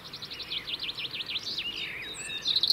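A European robin sings a thin, high phrase of quick repeated slurred notes, about seven a second, melting into a twittering trill, over a soft background hiss.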